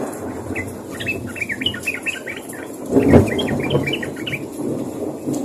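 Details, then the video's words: Sooty-headed bulbuls calling to companions, a steady stream of short, rapid, slightly buzzy chirps strung into chattering phrases over a constant low background hum, with a brief thump midway. "SUARA BURUNG TRUCUK MEMANGGIL KAWAN"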